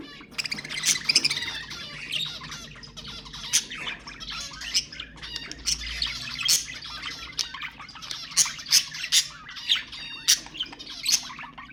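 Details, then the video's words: ['Continuous budgerigar chatter meant to spur breeding: overlapping scratchy warbles and high chirps throughout, with sharp squawks punctuating the second half roughly once per second.'] "تحفيز البادجي على التزاوج أقوى أصوات طيور البادجي للتحفيز"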